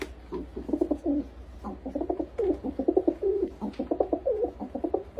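Pigeons cooing in low, throaty, bubbling phrases, several overlapping in quick rolling bursts, with a faint hum underneath.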